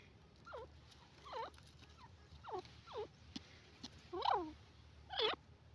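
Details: Grey francolin, locally called dakhni teetar, calling: a series of short down-slurred notes with rich overtones, coming in a quick run, then two louder, harsher notes near the end, over a steady low hum.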